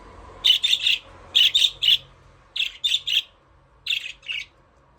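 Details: Aviary budgerigars at play chirp in rapid clusters of two to three harsh, scratchy notes, the groups coming about every second, with a faint low hum behind.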